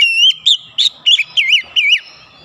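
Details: Agitated oriental magpie-robin song: six separate loud whistled notes, some rising and some wavering up and down, spaced about a third of a second apart.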